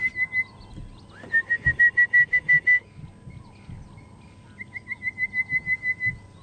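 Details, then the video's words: Wild orange-breasted bush-shrike calling in the bush on a morning safari drive at Djuma and Arathusa, 9 November 2014, near Buffelshoek Dam. It gives melodious, clear whistled notes in fast even runs of about nine, a pause, then another run, over low rumbling. "You can hear the orange-breasted bush shrike."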